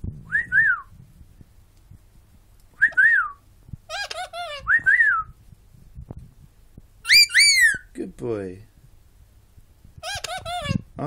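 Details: Pet bird, a loud talker, giving clear whistled phrases: rising-and-falling two-note whistles repeated several times, some sliding upward sharply, with a brief lower rattling note; a person's voice praising softly in between.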